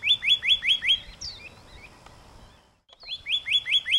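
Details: Pyrrhuloxia: a fast run of about five identical clear down-slurred whistles, a few softer high notes, a near-silent gap, then the whistled run again.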